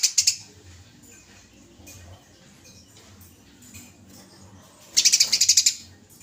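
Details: Eurasian tree sparrow in chirpy fighting mode, from a judges' pick of masteran tutoring recordings: a short burst of high chirps at the start, then near quiet with faint low rumbling, then a dense run of about ten sharp chirps near the end.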